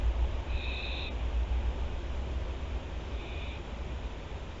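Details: Barn owls of Théding, France, on 24 September 2021: one clear hissing screech, then a fainter one about two seconds later, above a low droning background.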